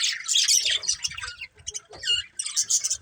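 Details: Several budgies chattering, with rapid scratchy squawks and bright chirps coming in bursts and short gaps between them, and faint low thumps underneath.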